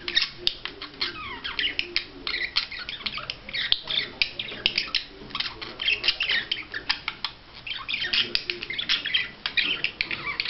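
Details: Budgerigar performing a courtship display, warbling nonstop in quick scratchy chatter mixed with upslurred and downslurred chirps and sharp clicks, roughly four to six notes a second.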